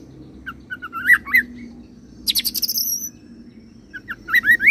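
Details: Caged oriental magpie-robin delivering a rolling song that strings together cililin and serindit imitations: brief whistled notes climbing to slurred phrases, a dense high buzzy chattering burst mid-way, and rising whistles at the end, over a steady low background hum.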